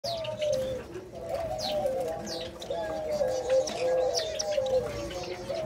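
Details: A spotted dove father feeding its chick gives a low, soft, wavering coo that runs almost unbroken, with faint high chirps from other birds above it.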